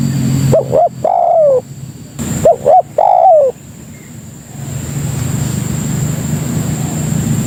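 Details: Spotted dove calling as a lure for other doves: two phrases of short rising notes leading into a longer descending coo, then a quiet stretch of low rumbling background noise.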